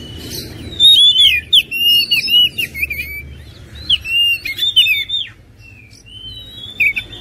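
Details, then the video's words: Oriental magpie-robin delivering clear whistled phrases with bent and falling notes and chirpy accents, trailing off into softer, sparse notes near the end. "PASTI TERPANCING EMOSI DENGAN KICAUAN INI LANGSUNG KONCER"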